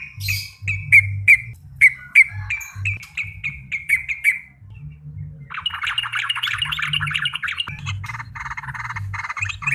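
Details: Yellow-vented bulbul (trucuk) in lively song: a run of short clear chirps repeated about three per second, then a dense buzzy chattering stretch, over low background hum.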